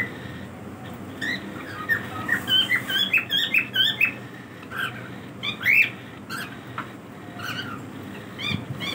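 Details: Pet cockatiels during their daily routine, indoors: a burst of short, bright chirps and whistled squeaks from about 1.2 to 6 seconds, clustered and irregular, then quieter with scattered notes over low room noise.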